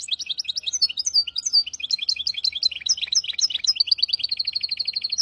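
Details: Hybrid finch in captivity delivering a tutor song for young goldfinches and canaries, a dense, fast run of high twittering notes and chirps that slides into a steady rapid trill near the end.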